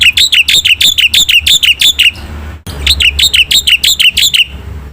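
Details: Black-winged myna in lively song: two runs of loud, bright, down-slurred chirps about three per second, separated by a brief break, over a low background hum.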